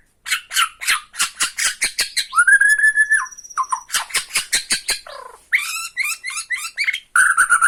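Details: Tretekan of a Borneo shama intended to lure and agitate other shamas: long bursts of rapid, rhythmic rattling chips, a level sustained whistle with a thin high tone, then a jumble of bright chirps.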